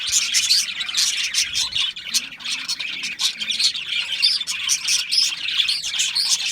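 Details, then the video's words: Several budgies chirping together in an unbroken, busy stream of scratchy twitters and squawky notes, with brief louder bursts throughout. "Natural Parakeet Singing Birds | Parrots Chirping sounds"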